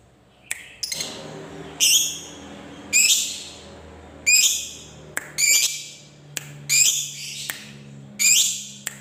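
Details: Lovebird calling with harsh, high, scratchy screeches at irregular intervals of roughly a second, each short and rasping, with a faint low hum in the background.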